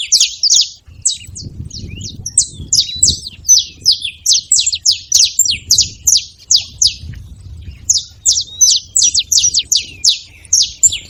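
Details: Saffron finches making noise at a feeding spot: a near-constant stream of sharp, high, downslurred chirps from several birds, easing briefly around the middle, with a low background rumble.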